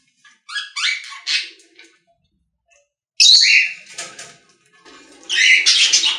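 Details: Pet-store budgies chattering: two bouts of rapid, raspy warbling separated by about two seconds of quiet, the second bout louder and fuller.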